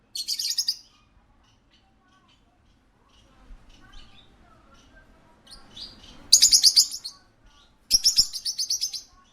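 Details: At a pet shop, a parakeet gives three bursts of rapid, shrill, chattering chirps, each under a second long, with a faint murmur of background noise between them.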